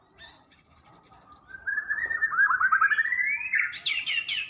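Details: Murai batu, the white-rumped shama, in full gacor song with isian fills: high thin notes give way to a long rising, trilled and buzzy phrase ending in sharp high sweeps, with steady low background noise.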